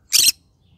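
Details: In the morning, a pet green-cheeked conure of the yellow-sided form lets out a single brief, raspy, grating shriek, then falls silent.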